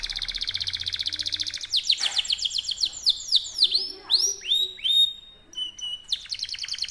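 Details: Competition-class canary (kenari) delivering a long rolling song: a fast buzzy high trill, then a run of sharply falling whistled sweeps and clipped bright notes, ending in another rapid rolling trill; faint background speech.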